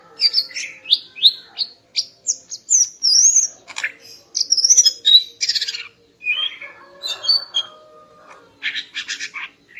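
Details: Female greater green leafbird's morning song to raise a male's breeding drive: a long flowing sequence of slurred whistles, some rising and some falling, moving into buzzy chatter and rasping notes near the end.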